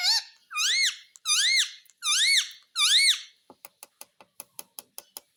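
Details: Pet parrot indoors, described as a talking bird that says "Papa Mitthu". Five loud, rising-then-falling harmonic squawks come in quick succession, then a run of sharp, evenly spaced clicks or taps.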